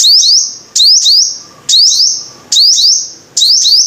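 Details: Shrill sunbird phrases from a bird locally called the five-coloured sunbird: five bursts, each a doubled note that sweeps sharply upward and then holds a bright high tone, spaced under a second apart.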